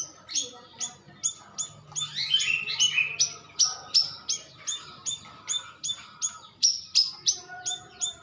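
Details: Light-vented bulbul, called cucak rawis, lure call used to make birds answer quickly: sharp, high, downslurred chips repeated about three times a second, with a burst of warbled notes in the middle and faint background hum.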